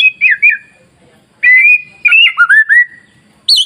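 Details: White-rumped shama masteran song to trigger singing in other shamas: two short warbled whistles, a pause, then a drawn-out whistled phrase of level and slurred notes, ending in a high sharp note.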